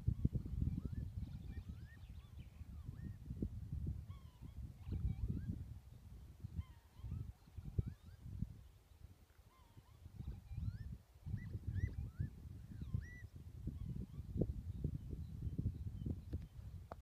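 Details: Unidentified birds in the Highlands of Scotland, a chorus of short, high, yelping calls rising and falling over steady wind rumble.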